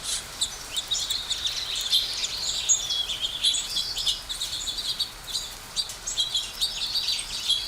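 A flock of sparrows keeps up a busy, overlapping chatter of short, bright chirps, steady throughout with no pauses.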